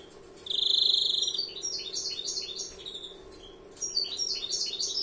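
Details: A novice European greenfinch sings: a loud shimmering trill followed by a chain of quick descending chirps, then another rattling phrase, all over a faint continuous hum.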